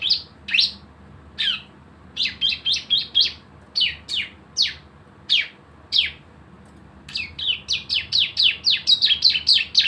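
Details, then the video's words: Javan white-eye in 'nembak bren' lure song meant to coax other birds into singing. Spaced single high downslurred chirps come first, then tighter clusters building to a fast closing burst. "CISEM GACOR ‼️ SUARA NEMBAK BREN PANCINGAN BIAR BUNYI"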